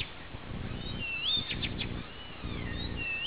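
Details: Blyth's reed warbler singing on a summer night, 11 June, at Peränne, Ähtäri: faint, thin whistled and slurred notes with a short cluster of quick upward strokes mid-phrase, over a steady low rumble of background noise.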